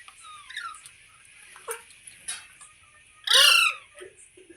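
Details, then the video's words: Green parrot making soft sliding notes and clicks, then one sudden loud, broad, raspy squawk lasting about half a second. "Green Parrot Talking Natural Sounds | Mitthu Ki Awaaz | Tote Ki Awaaz"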